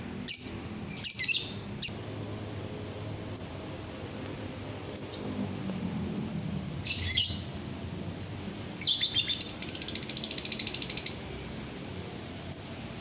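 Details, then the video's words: Lovebird, 9 December 2021: scattered shrill high chirps, then a burst of fast buzzy chattering, with a soft lower murmur in the background. "suara burung lovebird"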